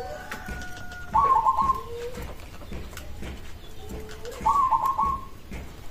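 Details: Local zebra dove singing so other zebra doves answer: two short pulsed cooing phrases about three seconds apart, each a fast stutter of mid-pitched notes ending in a slightly longer note, with soft background noise.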